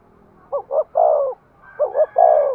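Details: Decoy spotted dove calling to attract wild doves, two quick soft coos followed by a long rolling coo, repeated once, with a faint higher whistle-like tone in the background.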